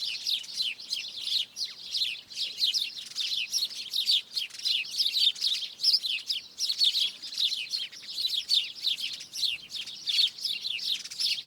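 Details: Birds in a tree keep up a continuous high-pitched chorus of rapid chirps, twitters and short trills. The mass of overlapping voices pulses steadily throughout, with no pauses and nothing else audible.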